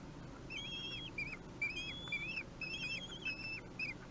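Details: Kestrel chicks aged three weeks, fed at Théding on 8 June 2021, give soft, rapid, rising-and-falling whistled whines, several overlapping in a steady chatter, recorded fairly quietly.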